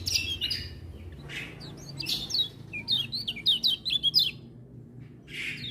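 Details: Lemon-bellied white-eye in full song, said to prompt other birds to sing along; bursts of high twittering and quick rising-falling whistles, with brief gaps and several overlapping birds.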